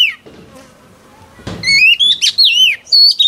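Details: Song of a newly wild-caught female oriental magpie-robin used to stimulate males: a brief note and a soft knock, then a run of loud, sweet rising and falling whistles delivered several per second.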